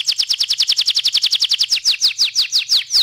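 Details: Canary delivering a rapid rolling trill of bright, evenly spaced downslurred notes, about eight per second, slowing slightly into broader sweeping notes near the end.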